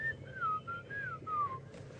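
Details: Black-crowned tchagra singing on a safari drive at Djuma, South Africa, 11 Nov 2014, in peaceful bush after alarm calls ceased: clear whistled notes, each sliding downward, four or five in quick succession, over a low engine hum.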